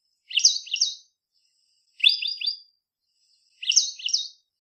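African Pied Wagtail giving three bright, high chirruping phrases of two or three quick notes each, roughly every one and a half seconds, with no other sounds.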